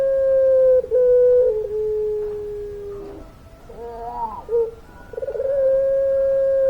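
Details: Barbary dove of the puter pelung type singing with a long voice: steady low hum-like coos held for over a second each, a sliding lower note, a short break with softer wavering notes, then another long sustained coo.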